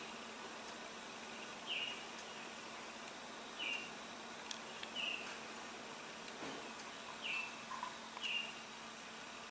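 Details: A male Baltimore Oriole singing in Niagara gives brief, clear whistled notes spaced every one to two seconds, over a steady background hiss with a few faint clicks.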